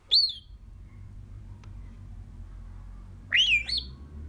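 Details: Female pet African grey parrot outside in the sunshine, whistling to passing birds: two loud, pure whistles, each swooping sharply up and down, the second a longer wavering phrase, separated by about three seconds of near silence.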